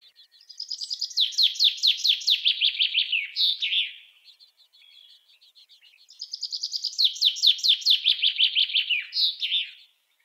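A common chaffinch sings two bright, rattling phrases that tumble down the scale and end in a quick flourish, about two seconds apart, with nothing else heard.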